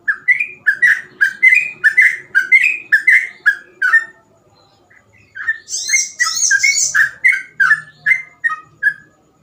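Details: Sooty-headed bulbul in lively nonstop 'gacor ropel' singing style, phrases said easy to imitate: rapid run of short whistled notes near two kilohertz, a pause, then a buzzy high burst followed by more quick whistled notes.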